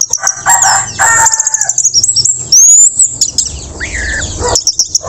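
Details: Orange-headed thrush after its moult, singing in the relaxed style called teler, a recording meant to help spotted young birds learn it; high thin whistles and chips near the top, a slurred mid-pitched whistle near the end.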